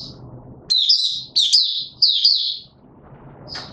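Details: Caged white-eye singing, pushed on form; three bursts of fast twittering, high warbled phrases with quick up-and-down notes, separated by short pauses, faint low background hum.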